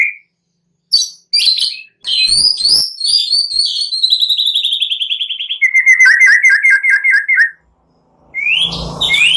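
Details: White-rumped shama in energetic song, used to push other shamas to sing, with cililin and prenjak-like phrases: sharp bursts, a long falling whistled series, then a fast rolling trill, ending after a pause with a rising note.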